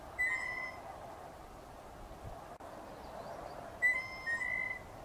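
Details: A Blue Jay gives two clear, musical whistled pump-handle calls about three and a half seconds apart, each a level ringing note over steady hiss. These calls are linked to spring courtship and are sometimes a low-intensity threat.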